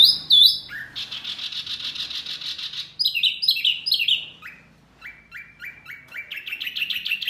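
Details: Masteran birdsong meant to make healthy caged birds answer, from a set naming Murai, Kacer, Cucak ijo and jalak: a sharp high whistle, then a buzzy sustained chatter, falling slurred notes, and a run of clipped repeated chirps.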